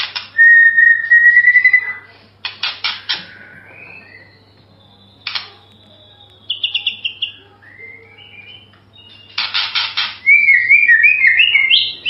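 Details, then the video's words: White-rumped shama, a master-bird style recording, singing varied phrases: a rising whistled trill, sharp clicks, short fluted notes and fast high twittering bursts, separated by brief pauses. "MASTERAN MURAI SUARA MERDU"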